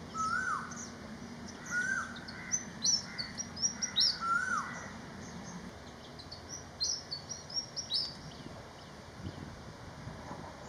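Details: Malaysian pied fantail song made of bursts of high, jerky, squeaky notes repeated across ten seconds, mixed with several lower, rising-falling whistles from another bird and a quieter pause midway.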